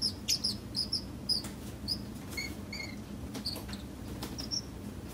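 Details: Pet Pacific parrotlet calling just after waking up: short, sharp, high chirps repeated in quick clusters, some doubled, with faint lower chirps and scattered clicks and rustling indoors.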